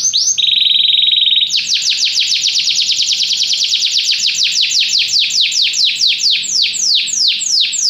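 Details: Canary song: brief high notes, a low steady buzzy roll, then a long, even run of fast descending sweeps repeated several times per second.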